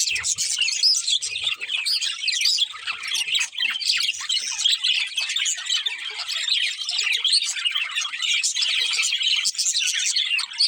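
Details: Lively chatter of a budgerigar breeding pair, dense squeaky chirps and occasional harsher squawk-like notes, sustained throughout with faint low rumbles at the start.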